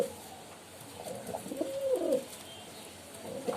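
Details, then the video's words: A pigeon giving a soft low coo, one drawn-out wavering phrase in the middle, quiet hiss around it. "Pigeon Sound"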